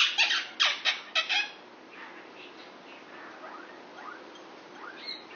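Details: A pet male Indian ringneck parakeet, six years old, flirts with a female Quaker parrot next door. Four loud, harsh squawks come in quick succession, followed by faint rising whistled chirps.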